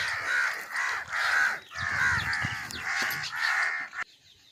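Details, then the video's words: Crows cawing, played to attract crows: repeated harsh caws from several birds in pulsing bursts, then stopping abruptly near the end into quiet. "Crow sounds to attract crows"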